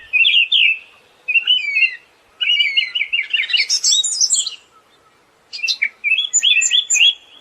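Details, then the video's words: Song of a Siberian thrush: quick trilled phrases, a dense rattling chatter rising into high squeaks, a pause, then rapid twittering notes. "SUARA BURUNG ANIS SIBERIA"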